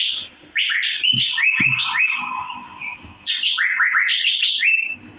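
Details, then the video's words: Asian fairy-bluebird (cucak biru) in dense chirping used for mastering: overlapping rising and falling whistled notes run together almost continuously, with one short break midway. "Birds Cirphing Master Sound Effect Cucak Biru/Irena Puella"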